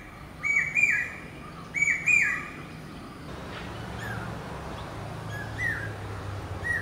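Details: Common hawk-cuckoo giving its pi-peeah call: two loud whistled notes, each rising and then dropping, followed by fainter repeats in the distance against a background hiss.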